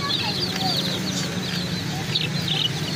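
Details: Chicken chicks giving high, shrill chirps in a busy chorus, with several clearer individual peeps and a faint low hum underneath.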